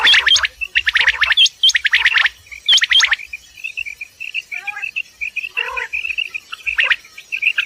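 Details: A common quail gives its morning call near Dera Ghazi Khan, Pakistan: sharp, clipped triple-note bursts in quick succession, followed by a run of thin, high chirping notes.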